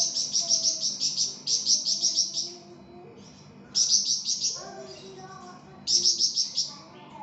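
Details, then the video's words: Energetic flamboyan (pied fantail) song meant for training other songbirds: three bursts of fast, piercing, evenly repeated chirps, each lasting about a second, separated by quieter stretches with faint lower whistles. "𝗯𝘂𝗿𝘂𝗻𝗴 𝗳𝗹𝗮𝗺𝗯𝗼𝘆𝗮𝗻 | 𝗳𝗹𝗮𝗺𝗯𝗼𝘆𝗮𝗻 𝗴𝗮𝗰𝗼𝗿 | masteran flamboyan"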